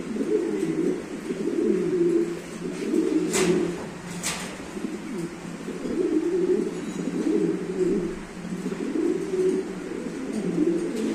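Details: Two pairs of show King pigeons (domestic pigeon) give low, rolling coos, overlapping in steady throaty bursts about every second or two, with a couple of brief clicks.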